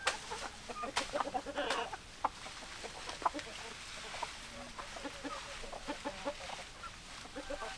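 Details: Hens clucking in a group: a burst of louder clucks and a brief squawk early on, then a steady patter of soft, short clucks from several birds over background noise.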